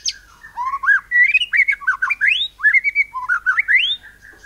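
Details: White-rumped shama song in cililin-imitating style, used to spur other birds to sing: a flowing run of mellow, mid-pitched warbled whistles that rise and dip in quick looping phrases, nearly continuous for four seconds.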